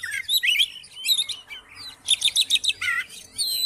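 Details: Song of an Oriental magpie-robin for coaxing another magpie-robin out of silence: bursts of quick bright whistles and chattering trills in short phrases, a dense rapid series in the middle, ending with a sustained high whistle.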